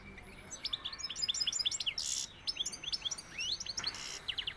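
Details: European goldfinch of the Sevillian type singing a fast, continuous twittering run of high, tinkling notes and short rising slurs, with a few brief bursts of hiss and soft background noise.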